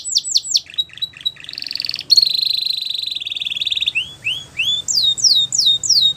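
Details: A Belgian canary sings a fast, varied song: looping whistled slurs, then a long buzzy trill, then rising sweeps repeated about three times a second.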